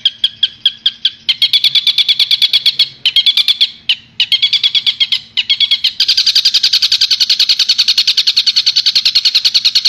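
Long-tailed shrike giving a harsh, scratchy chatter of rapid repeated notes that speeds into a fast, continuous rattle. No other sounds stand out.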